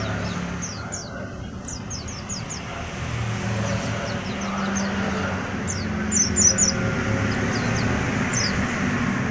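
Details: Young untrained oriental white-eye singing: thin, high, quickly descending chirps in short clustered bursts, scattered through the stretch, set against a constant low rumble of passing traffic.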